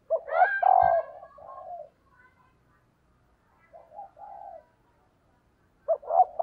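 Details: A female dove gives low, soft coos in short bursts, a rolling phrase then quieter paired notes after a pause, used to stimulate males.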